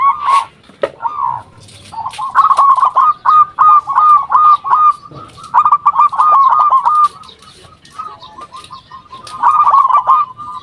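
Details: Lure calling from a local zebra dove to provoke replies from other doves: long, overlapping streams of quick rolling coos, pausing briefly then resuming in a rapid series.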